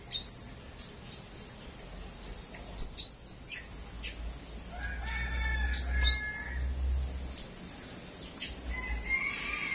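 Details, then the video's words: A flowerpecker sings in the morning with a rapid run of high, downward-flicking chirps, several close together, followed by softer lower whistles from other birds and a faint low rumble. "Chim Sâu Hót"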